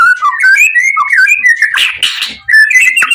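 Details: White-rumped shama, the Pastol PTRK BF bird, singing with full emotion so other shamas will reply: a flowing warbled whistle rising and falling, a brief harsh noisy burst midway, then more clear whistled notes.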